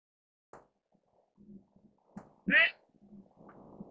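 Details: An albino Mandarin duck (Aix galericulata) gives a single short, squeaky whistled call, with soft low rumbles and clicks around it.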